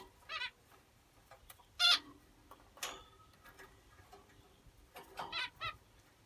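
Finches give short, nasal, buzzy calls in scattered bursts of one to three notes, mixed with faint clicks and taps.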